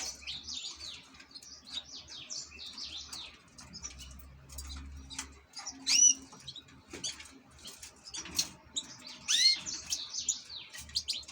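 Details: European goldfinch kept as an ornamental bird, singing scattered high chirps and short twittering phrases with upswept notes, separated by uneven pauses, over faint low hum and soft rustling.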